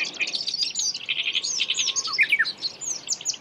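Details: Black-browed reed warbler in the wild, seen catching an insect, delivering a fast, continuous jumble of scratchy, buzzy chatter with quick upslurred squeaks and a couple of sharp descending notes, all at high pitch over steady background hiss.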